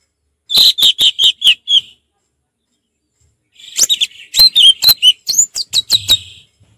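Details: Orange-headed thrush in relaxed ngeplong song: a quick run of six sharp, evenly spaced high chips, a pause, then a longer busier phrase of clipped notes and short whistled flourishes.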